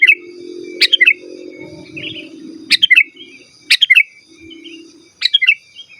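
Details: Kutilang, the sooty-headed bulbul, in lively song meant to call rivals and coach captive birds: short bright chirping phrases spaced about a second apart, with a soft low hum underneath.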